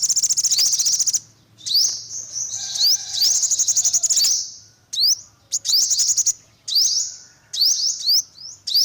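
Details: Olive-backed sunbird giving a rapid, high trill, then repeated thin upward-slurred notes and chip clusters in uneven bursts, with faint lower whistles in the background.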